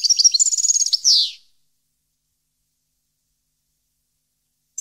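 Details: Goldfinch singing, 2015 recording: a fast, high liquid trill of evenly repeated notes ending in a harsh descending buzz, then silence and one faint closing chirp.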